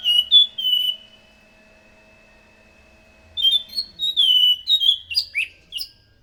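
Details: Orange-headed thrush song played to lure other thrushes: a short whistled phrase trailing off, a long pause, then a livelier sequence of clear, slurred and varied whistles with some sharper notes.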